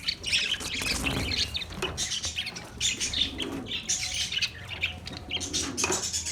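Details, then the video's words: Continuous chattering of Australian parrots, overlapping high chirps and squawks packed closely together with hardly a gap. "Beautiful Australian parrot video Bird Chirping sounds"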